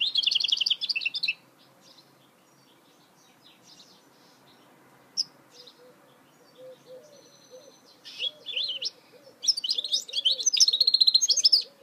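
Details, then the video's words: Song of a goldfinch hybrid (mule): an opening burst of fast, high twittering, a long quiet stretch with scattered chips and soft repeated low notes, then lively jangling phrases return. "Chant mulet chardonneret تغريد هجين الحسون"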